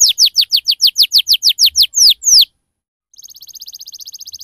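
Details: Canary lure song for young canaries learning to sing, in the chirpy 'ngriwik cuit cuit' style: about a dozen loud, quick downslurred whistled notes, a short pause, then a fast, softer, very high buzzy trill.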